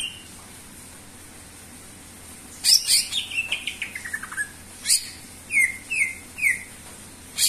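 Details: Greater green leafbird after a quiet start: sharp chips, a rapid descending run of short notes, then three spaced, falling whistled notes.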